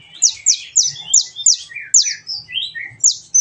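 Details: Sunbird called kolibri ninja in a training recording to make birds sing: rapid repeated sharp downslurred chirps, about four per second, mixed with slightly lower twittered notes.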